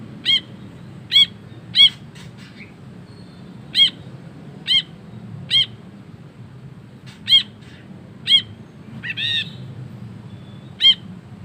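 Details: Ashy bulbul in the long 'ngekek' chattering style, used for tutoring other birds: single sharp, clear notes with bright harmonics, repeated at irregular intervals of about one to two seconds, over a faint low hum.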